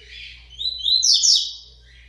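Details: Seedeater song from a region-born double-collared seedeater finishing its moult: one rushing, high phrase of sharp slurred notes that sweeps upward, peaks and fades, over a faint low background hum.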